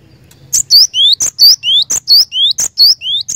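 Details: Loud, energetic cinereous tit song in 'gacor' style, beginning after a short pause: crisp high chirps alternating with slurred notes and upward-sliding whistles, repeated rapidly in a regular rhythm.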